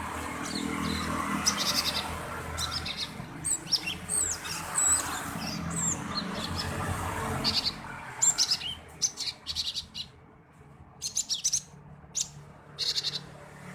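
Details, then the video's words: A male cinereous tit chirps as a lure to set other birds singing. Scattered bursts of high, sharp chirps come in short clusters with uneven gaps, over a soft background murmur. "Gelatik Batu Jantan Gacor - Pancingan gelatik batu || CHIRPING SOUND ||"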